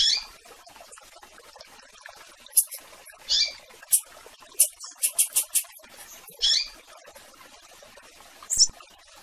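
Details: Coleiro (double-collared seedeater) singing for a female, with a tiziu present; short buzzy high phrases and a rapid series of about six sharp, very high notes, separated by quiet gaps.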